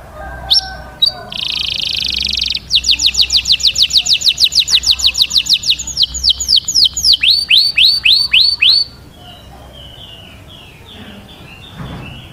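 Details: Mating song of a canary: a buzzy sustained roll, then rapid high trills of repeated notes shifting into slower descending whistled sweeps, ending in quiet with faint scattered chirps.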